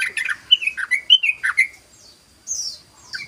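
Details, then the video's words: {'caption': 'A few loud slurred whistles and chirps from a sooty-headed bulbul, followed by a short silence and a couple of higher squeaky notes.'} "SUARA BURUNG TRUCUKAN ROPEL❗❗❗BURUNG TRUCUKAN NGEROPEL❗❗❗"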